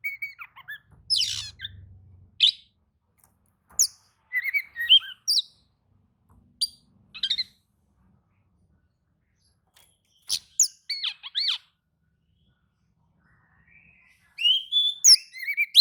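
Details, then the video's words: Oriental magpie-robin singing in reply to another magpie-robin: scattered short phrases of sharp chips, whistles and scratchy notes separated by silences, ending in a denser run of rising whistles. "kacer manasaja jelas ikut nyaut emosi dengrar kicau kacer seperti kacer ini"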